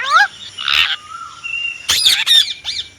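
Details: Indian ringneck parrot talking: a rising harmonic squawk, a noisy burst, a thin steady whistled tone, then a cluster of sharp stacked chirps and arched notes near the end.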